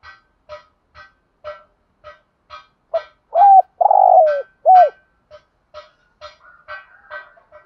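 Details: Spotted dove call played as a lure for other doves, thúc gù and gáy gọi styles: steady short nasal notes repeated roughly twice a second, broken mid-way by a loud three-note low coo with a drawn-out falling middle note.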